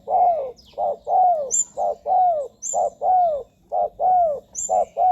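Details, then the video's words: Spotted dove cooing, used as a lure for wild doves: a steady run of short, mellow, hooting coos with falling tails, repeated about once a second, with faint high squeaks in the background. "เสียงนกเขาใหญ่ หมานๆ 100%"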